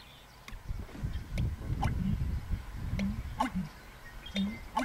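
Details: American bittern giving its pumping call in April, a call made at dusk and dawn in spring or summer; deep, low gulping pulses repeat irregularly, with faint higher clicks and ticks around them.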